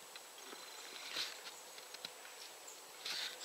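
Two short, sharp high notes from a Eurasian nuthatch, about two seconds apart, over a background of soft tapping and clicking.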